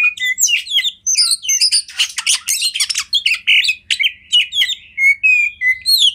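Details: Oriental magpie-robin (kacer) song meant as a master recording for training other kacer: a fast, varied run of bright whistles, slurred notes and harsh buzzy bursts, packed densely with brief gaps and no other sounds.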